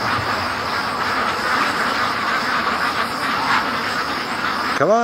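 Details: Free-range domestic ducks from a flock of over 650, rushing together between a lake and home; a dense, continuous wash of overlapping quacks forms a steady chorus with no single caller standing out, ending in a brief sweeping tone.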